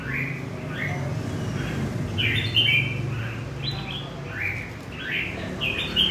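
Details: From central Vietnam, a wild-caught red-whiskered bulbul repeats lively chirpy phrases of rising, slurred whistles in quick succession, a few louder notes standing out, over a steady low mechanical hum.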